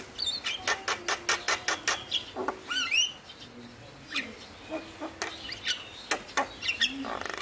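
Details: Male Javan myna song meant to draw out mynas reluctant to sing, opening with a rapid rattling series of clicking rasps, then a looping whistled squeal and scattered chattering notes.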